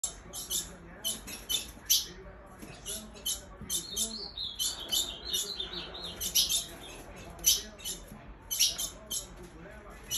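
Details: Female ultramarine grosbeak calling to excite males: sharp, dry, high chip notes repeated in loose irregular bursts of one to three, about once a second, with a few softer tonal notes near the middle and faint background murmur.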